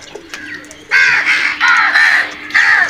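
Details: Crows attacking food give loud, strained caws in a quick string of three or four, each harsh and slightly falling, after a brief quiet start.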